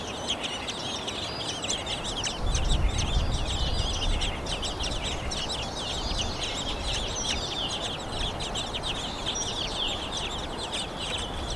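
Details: Fieldfare at its nest, both parents feeding chicks mainly earthworms, Kalinovsky forest park, Yekaterinburg: dense, harsh chattering calls, several a second, over a steady low rumble of wind.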